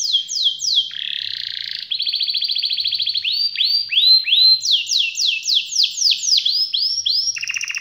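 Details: Varied canary 'gacor' song mixing loud downward-swooping whistles, a low buzzy roll, a long steady trill and bursts of rising notes. The phrases change quickly and are repeated several times each.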